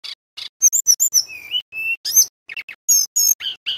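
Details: A male Sunda robin sings a rapid, varied run of high, sharp whistles and buzzy chips, several notes a second, with a few steadier mid-pitched whistles; offered as a master song for training magpie-robins.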